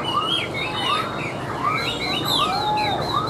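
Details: Chinese hwamei, tame and caged, delivering long clear whistled glides and swoops, one held high whistle near the end, over a repeating arched lower note and background hiss.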